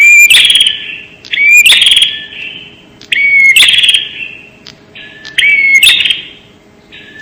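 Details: ['Bar-winged prinia lure call, sharp and clear: short whistled note followed by a rasping buzz, repeated five times at roughly one-and-a-half-second intervals, each ending in a fading echo.']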